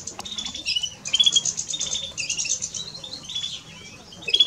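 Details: European greenfinch song from a male and female pair: continuous high-pitched twittering of rapid chirps and brief trills in clustered bursts, with a short quieter pause before a final loud flourish.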